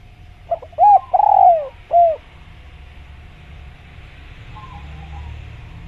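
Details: Spotted dove (tekukur) in jungle giving one cooing phrase of short notes and a long falling coo. Faint low background hum and quiet follow for several seconds.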